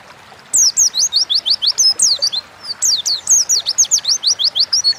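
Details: Oriental white-eye in energetic 'gacor ngalas' wild-style song, played as a lure to prompt kept birds to sing: rapid runs of thin, very high, downslurred whistled notes, about six per second, in two long bursts after a brief pause.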